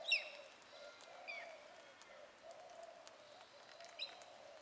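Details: Parrots feeding on the fruit of a Christmas tree in a garden give sharp, high chirping calls, one burst at the start and another near the end. Thinner whistles sound between them over a steady low hum.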